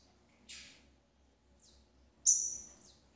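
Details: Double-collared seedeater, a female feeding her chicks: a short burst of harsh high chirping, a brief thin note, then a loud, sharp, high-pitched squeal that fades over half a second; near silence between sounds.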